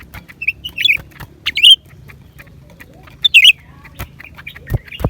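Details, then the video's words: Lesser green leafbird singing: short, bright, slurred whistled phrases and chirps given in scattered bursts, with quiet clicks and a steady low hum in the background. "เสียงนกเขียวกลาง ปีกสีฟ้า suara cucak ranting"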